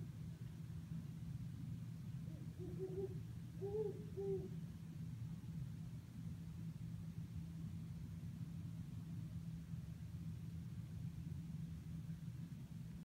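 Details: Great horned owl (Bubo virginianus) hooting from eucalyptus trees at Sherman Island, California: a brief series of about five deep, soft hoots in quick rhythm, over a constant low traffic-like rumble.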